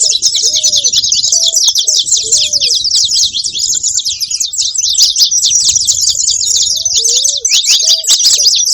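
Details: Lively, nonstop chirping from saffron finches, high notes crowding together, with short lower whistled slurs near the start and again around seven seconds.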